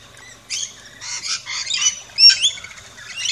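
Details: Australian backyard feeding station with rainbow lorikeets chirping and squawking, a dense run of grating, high screechy calls in quick uneven bursts, some with short whistled rising notes, over a faint low hum.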